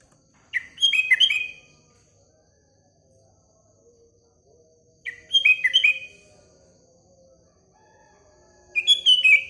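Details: Sooty-headed bulbul singing in the morning: three short bubbly phrases of quick fluting, slurred notes, spaced about four seconds apart, with faint low chatter in the background.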